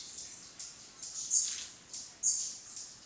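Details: Velvet-purple coronet at Mindo, Ecuador, 22 July 2017, mid-afternoon, Sony Alpha A3000 recording: a quick series of high, thin chipping notes, a few louder and slightly buzzy, about one per second.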